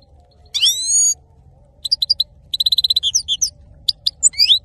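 A male European goldfinch sings a long, nasal, drawn-out note, then a quick tinkling run of bright chirps and liquid twitters, with a faint low hum behind.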